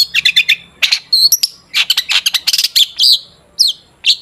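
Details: Singing long-tailed shrike used to stir other shrikes into song: dense bursts of harsh chattering notes interspersed with clear whistled slurs, delivered rapidly with brief gaps.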